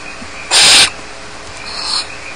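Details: A young barn owl alone in the nest at Starr Ranch utters one strong, harsh hiss of about a third of a second, then a faint, thin trailing rasp.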